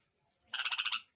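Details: Common hill myna, a talking bird being sold, utters a brief rasping burst of roughly seven quick, even pulses in a quiet indoor setting, with faint low murmurs underneath.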